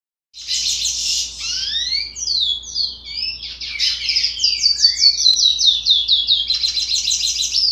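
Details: Juvenile chestnut-bellied seed finch (curió), 60 days old, with still-developing song: rambling high twittering of rapid descending slurred notes and short buzzy trills, starting after a brief silence and growing louder and denser toward the end.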